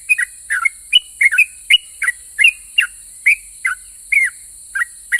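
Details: Yellow-vented bulbul in active song of the long rapid ropel pajang type, provoking other bulbuls to answer: dense chattering whistled notes, often doubled, tumbling along without pause, with faint low rumbles and a steady high hiss.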